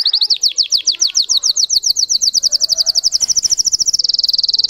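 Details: Russian canary bred for song sings a quick series of high falling chips that speeds into a dense, rattling trill near the end.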